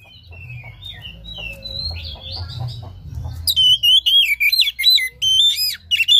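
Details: Lure song of an Oriental magpie-robin meant to prompt a caged bird that sings little and lacks breeding drive; soft scattered notes give way to an intense run of clear whistles, swooping slurs and clicks, with steady low hum.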